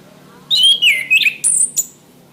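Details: Orange-headed thrush, a caged bird, song used as training for caged birds: a falling whistled warble of slurred notes, followed by two very high thin squeaky notes, with a faint hum behind.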